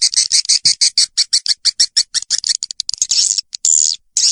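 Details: Swiftlet lure sound: a regular series of short, bright, high chirps about four per second, speeding up, then a longer shrill twitter and pause.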